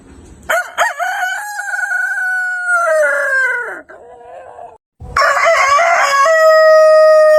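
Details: Backyard rooster giving a loud crow: a stuttered start, a long steady harmonic note that drops and breaks off, then after a brief gap another crow beginning with rough syllables and settling into a clear held tone.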